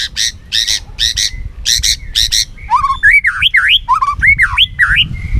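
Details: White-rumped shama singing competitively while flicking its tail: a run of harsh, stacked chattering notes, then loud whistled phrases swooping up and down, with low background rumble.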